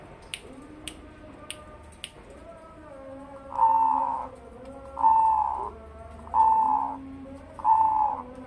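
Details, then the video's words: Bassy cooing song of a tame two-year-old Zebra dove, a Bangkok and local crossbreed: quieter clicks and low murmurs first, then four strong, rounded coo phrases spaced roughly every 1.3 seconds. "Cetetan Perkutut Crossing, Bekuran Perkutut Crossing"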